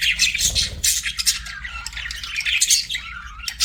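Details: Budgies chirp in a lively, scratchy warble of fast overlapping notes and sharp squeaks, continuous from start to finish.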